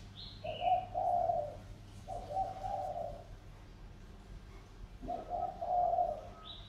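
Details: Two-year tame decoy spotted dove from Sóc Trăng calling keenly: repeated low, hoarse coo phrases, a short note then a longer one, with faint higher chirps from another bird in the background.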